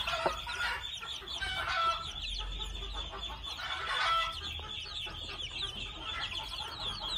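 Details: Two-month-old red junglefowl chicks give short clucking notes, with two clearer harmonic bursts near the second and fourth seconds, over a steady high insect-like drone and low rumble.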